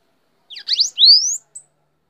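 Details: Bananaquit (sibite) on a person's hand gives a brief high phrase: a few quick down-swept chips, then a long smoothly rising whistled slur and one short high tick.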